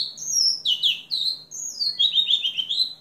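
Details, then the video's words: Three seconds of house finch song, a fast cascade of descending slurred whistles followed by a quick burbling trill and an upward-curving final note, over a faint low hum. "Roselin du Mexique (chant)"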